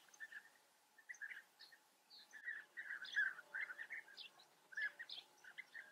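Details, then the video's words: European bee-eaters calling at their breeding colony in the Eifel, Germany: soft at first, then a run of rolling, trilled calls from several birds, overlapping, with a few higher slurred notes above. "European bee-eater. Germanys most exotic birds: Bienenfresser Kolonie in der Eifel."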